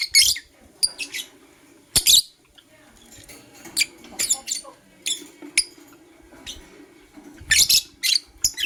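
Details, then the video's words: Blue Opaline lovebird giving scattered high, squeaky chirps in the morning. Short sharp bursts come at irregular intervals over a soft indoor background. "Lovebird Chirping Sounds - LoveBird Sings"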